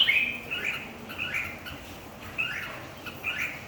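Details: Competition singing from red-whiskered bulbuls: a series of brief slurred, chirping phrases repeated about once a second, moderately loud, with soft background noise throughout.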